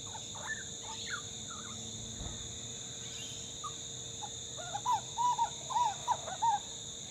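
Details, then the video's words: A young grey butcherbird fledgling, learning to sing, gives a quick run of five clear, mellow rising-and-falling notes after softer scattered calls, while a person talks quietly nearby over a steady hum. "Grey Butcherbird Fledgling Chat"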